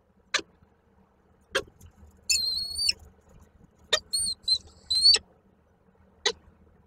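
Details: Peregrine falcons at Koszalin on 8 March 2023, the male arriving with a gift that the female declines before flying away. Quieter high whistled calls in short pieces sit between sharp clicks, with a low background rumble.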